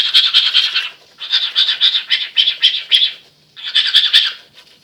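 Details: Male cockatiel mimicking toothbrushing noise, giving three bursts of fast, harsh, scrubbing rasps separated by brief pauses, each stroke sharp and bright.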